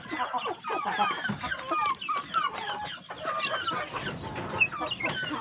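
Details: Large village chickens raised on good feed, calling together. A dense, constant chorus of high cheeping and short clucks overlaps throughout.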